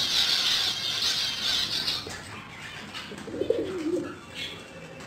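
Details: Black and white fantail pigeons: a brief low, throaty coo rolls in about halfway through, after a burst of hissy, flapping-wing rustle; faint background noise throughout.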